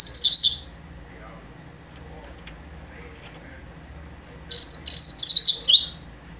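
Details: Captive young double-collared seedeater singing mateiro style: two quick, high, jumbled twittering phrases, each under two seconds, separated by about four seconds of near silence with faint background murmur.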